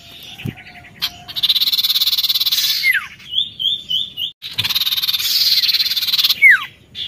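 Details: Oriental magpie-robin singing gacor narung: two long harsh rattles of fast pulses, each closing with a falling whistled slur, separated by a rippling high trill.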